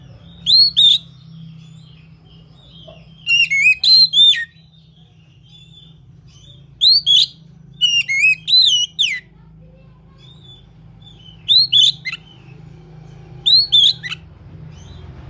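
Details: Oriental magpie-robin singing in short bursts of two to four loud, sweet whistled notes with sharp up-and-down slurs, repeated every few seconds with quiet gaps, over a steady low hum.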